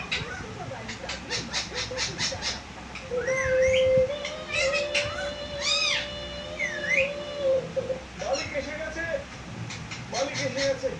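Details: Talking parrot kept in Bangladesh: loud whistled notes, including a long steady tone, rising and falling sweeps and bent harmonic phrases, framed by clicky broadband bursts and soft background chatter.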